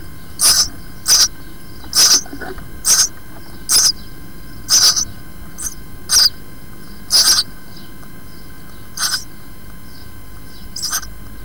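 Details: Four six-day-old house sparrow nestlings in a nest box, skin darkening and feather quills about to appear, give short, raspy, hissing chirps in uneven bursts about once a second, over a faint steady hum.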